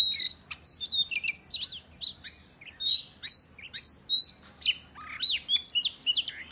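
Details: Oriental magpie-robin fighting song used to challenge other males: clear, loud whistled phrases mixed with sharp downward chips and buzzy notes, delivered in quick repeated bursts.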